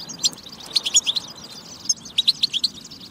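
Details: European goldfinch song played to encourage goldfinches to sing: soft twittering at first, then a row of clear, evenly spaced bright chirps near the middle and again near the end.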